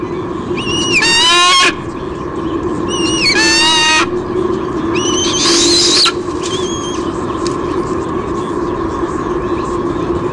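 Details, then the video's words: White-bellied sea eagle female at a Sydney Olympic Park nest, Australia, June 23 2016, squealing when her mate delivers a fish: three short bursts of shrill, stuttering harmonic squeals about two seconds apart, then a constant background hum. "Dad bring's a fish, Mom squeals"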